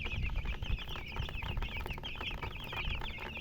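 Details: Chicks chirping in a flock, quick high peeps repeated in close clusters, with low rumbling and thumping noise underneath.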